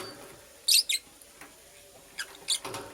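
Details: Female purple lovebird at work on a nest, producing two quick harsh chirps followed after a pause by another pair of fainter chirps.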